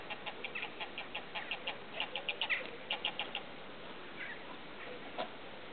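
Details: Eurasian oystercatcher parent, one of a breeding pair with three chicks on a rushy lake at Slimbridge Wetland Centre, Gloucestershire, gives quick, sharp 'kip' notes, about five a second in bursts for three seconds, then a few scattered notes over a steady hiss.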